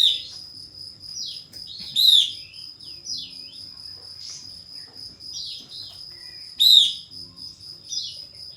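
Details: Lure song of a pied fantail (kapas tembak) meant to draw a rival's response: short squeaky rising and falling notes scattered throughout, punctuated by two loud harsh bursts about five seconds apart, with a steady high whine in the background.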